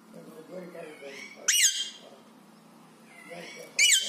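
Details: Wild parrot outside calling to caged pet parrots: two sharp, loud, high squawks with falling tails about two seconds apart, over softer low chatter between them.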